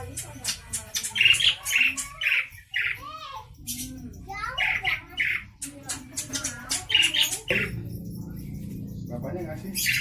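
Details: Javan pied starling from Java, described as very noisy and chatty, giving a busy run of harsh, squawky, buzzy notes and rasping chatter, about two per second, over low background hum.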